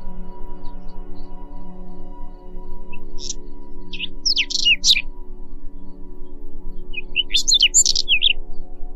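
A Whinchat sings two short bursts of scratchy, warbling phrases, high and quick, several seconds apart, over a steady low musical drone.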